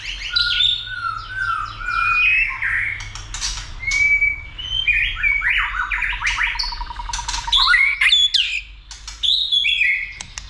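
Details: White-rumped shama roused for singing and fighting, flicking its tail: a long, varied stream of whistles, clicks and fast chattering trills, shifting from high to mid pitch with hardly a pause.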